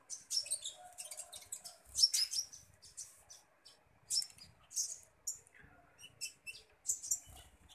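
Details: Fed common iora producing clusters of high, bright chirps and short twitters in repeated bursts, with brief thin whistled notes between them and quiet surroundings.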